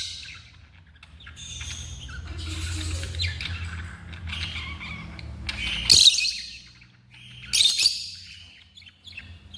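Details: Pet African lovebirds chattering in rapid, scratchy twitters, then two loud piercing shrieks near the end, over a low rumbling hum.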